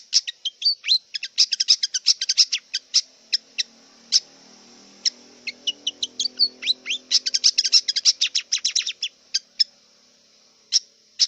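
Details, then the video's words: Wild long-tailed shrike singing rapid bursts of crisp, varied chips and downslurred whistles, pausing between phrases, then a dense chattering run. A faint low murmur and a steady high drone lie behind it. "Kicau cendet liar"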